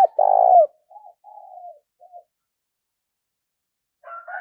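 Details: Spotted dove calling, as used to stimulate decoy birds; a long steady low coo, then three soft short trailing notes, silence, and the faint start of a higher wavering call.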